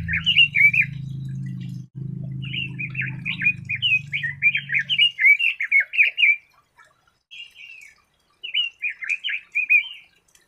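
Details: A red-billed leiothrix gives two bursts of quick, bubbly warbled notes, then after a short gap starts another brief phrase; a low hum runs beneath the first half.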